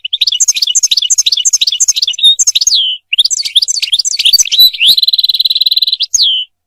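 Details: A European goldfinch, whose song serves mating and teaching goldfinches to sing, delivers rapid liquid twittering phrases with repeated high notes, a short pause, more twitter, then a sustained buzzy trill closing with a slurred whistle.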